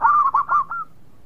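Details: Brief, loud phrase from a local zebra dove: three or four quick, liquid, rolling coos running together, the last one softer and fading.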